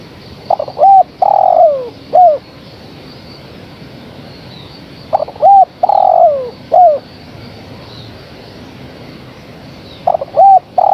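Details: Spotted dove hen calling the male: two full phrases about five seconds apart, each with quick stammered notes, an arched coo, a long loud coo drooping in pitch and a short last note, then a third phrase begins.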